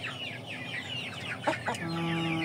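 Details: Aseel, Oshamo and Ganoi chickens: rapid high downward peeps, two sharp knocks, then a steady low electrical tone joins the hum.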